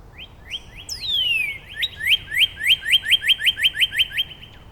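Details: Neighbouring Northern Cardinals counter-singing in Angrignon Park. Rising whistles lead into a long, sharply falling slide, then a fast, even run of about a dozen bright upward-sliding notes.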